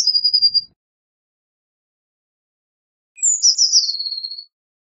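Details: Blue tit singing: a short level trill at the start, then after a pause a phrase of high notes dropping into a buzzy, fast descending trill, nothing else audible.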